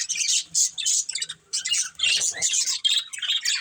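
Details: A family of pet budgerigars chatters in rapid high chirps and harsh squawky notes, bursts broken by short gaps, with soft low knocking in the background.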